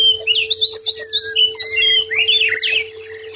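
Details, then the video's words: White-rumped shama on a tutoring recording for stressed, silent birds, singing a loud, continuous, high, fast medley of twittering whistles and slurred notes that fades at the end, over a steady hum. "Masteran Sekaligus Terapi Brainwave Murai Batu Stress Dan Macet Bunyi"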